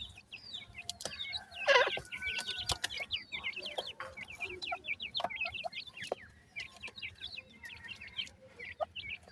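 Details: A crowd of grey francolin chicks for sale in Multan peep nonstop in high, short, downslurred notes. There is a loud knock near two seconds and scattered tapping throughout.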